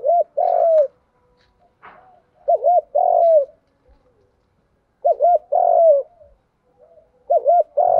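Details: Spotted dove, lure coo for training wild-caught and decoy birds: four phrases about two seconds apart, each a rapid double note then a longer arched coo, with faint scratchy sounds between.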